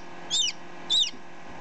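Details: Close-up recording of a chick hatched ten minutes earlier: two shrill, high peeps, each arching then dropping, about half a second apart, with a low hum underneath.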